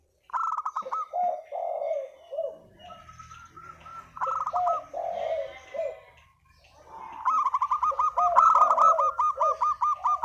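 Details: Lure calling by a Spotted dove: buzzy rattled phrases falling into hoarse coos, then a long fast run of hooked, repeated notes in the final seconds.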